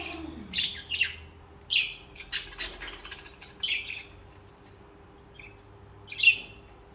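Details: Budgerigars kept as companion birds give scattered scratchy chirps and warbled squawks in short bursts, with a soft low hum beneath and quiet gaps between phrases.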